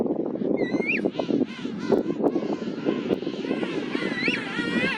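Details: A King Penguin chick in a small colony on a rocky hill on Saunders Island, Falkland Islands, in December 2024, gives two bursts of high, rising and falling warbling whistles over the colony's murmur, probably begging food from an adult that is not its parent.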